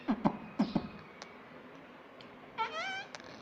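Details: Talking pet ringneck parrot said to repeat "mummy" and "papa": low thumps and knocks at first, then one bright, arched, strongly harmonic utterance late in the clip.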